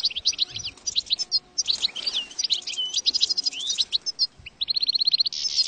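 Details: European goldfinch singing, a recording meant to lure goldfinches into traps: quick high twittering phrases and liquid chirps, ending in a rapid, evenly repeated run of bright notes.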